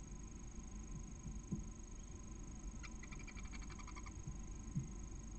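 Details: In a barn owl nest in Cabañeros National Park, Spain, the female calls to her first chick as it hatches in the morning. Quiet rustling, then one short run of fast harmonic chirps.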